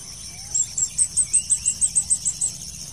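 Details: Blue-crowned hanging parrot, lured during trapping, gives a run of about twelve shrill, very high, clipped notes spaced evenly at roughly five per second over a constant background hiss.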